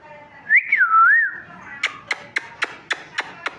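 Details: Chirping from a talking parrot: one long wavering whistle that rises, dips and swells again, followed by a run of sharp dry clicks about four per second.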